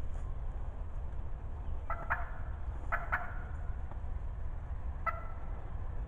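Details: Talkative wild turkey hen calling close by in the spring 2020 season: a few short, harsh yelping notes in small clusters around two, three and five seconds, over a steady low rumble of background noise.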